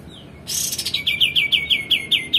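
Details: A male white-eared bulbul in full voice, kept as a master recording for training songbirds, opens with a faint falling whistle and a harsh burst, then delivers a rapid run of crisp descending chirps repeated about every fifth of a second.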